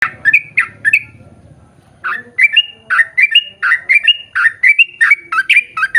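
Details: Yellow-vented bulbul in ropel style, long-running lure song used to draw others of its kind to sing: a few bubbly chattering notes, a brief pause, then a fast continuous series of gurgling, slightly rising notes.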